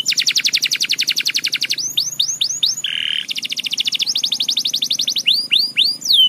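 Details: Canary in lively gacor song: a loud rapid trill, a few sweeping down-slurred whistles, a brief buzzy burst, another trill, then more ringing swoops, all bright and piercing.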